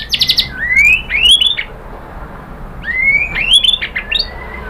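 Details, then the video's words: White-rumped shama song played as a lure to draw answering birds: upward-sliding clear whistles in two phrases, with short rattling chips before them and quiet background between. "KICAUAN MURAI BATU bikin NYAUT ikut BUNYI GACOR NGEPLONG BONGKAR ISIAN ¦ PANCINGAN MURAI"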